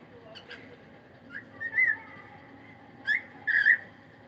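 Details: Morning song of a cockatiel: drawn-out whistled notes with wavering pitch, in two separate phrases over a quiet background.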